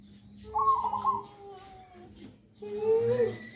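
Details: Hand-raised tame zebra dove kept as a pet, about one year old, giving a nggayer-style coo. One brief warbling, bubbling phrase is followed by a fainter note, over a low background hum.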